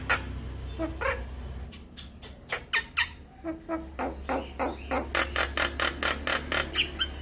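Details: Javan myna song serving as lure and training material for mynas: scattered soft chips building into a quickening series of harsh, evenly repeated rasping notes over a low steady hum.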